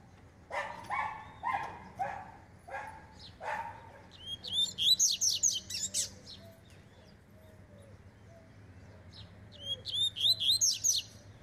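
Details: Double-collared seedeater warming up, a fast and spirited singer: several low bark-like sounds open, then two bursts of quick, high, chattering whistled phrases separated by a pause.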